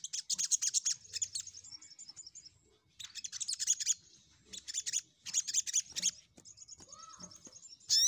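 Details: Crimson sunbird song used to lure rivals: quick, high chattering runs alternating with thinner sustained high twitters, somewhat softer, ending in a loud sharp note.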